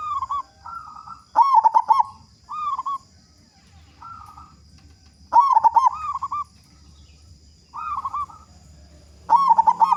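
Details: Active local zebra dove with a loud voice, played to prompt other doves to sing. Repeated sequences of soft rolling coos and loud stuttering pulsed coo bursts, the loud bursts returning about every four seconds.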